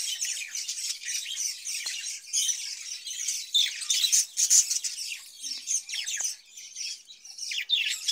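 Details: Budgerigars in a cage, given cucumber in hot weather, warble and chirp continuously, with quick rising and falling squeaky notes and a few louder chirps in the middle of the run.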